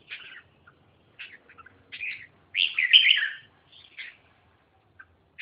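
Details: Red-whiskered bulbul uttering several short chirped phrases, then a louder rippling warbled burst, followed by a few softer scattered notes.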